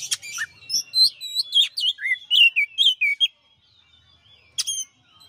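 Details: Master song of a champion white-rumped shama: a rich burst of fluty, warbled whistles, rising and falling rapidly, followed by a pause and one final sharp note.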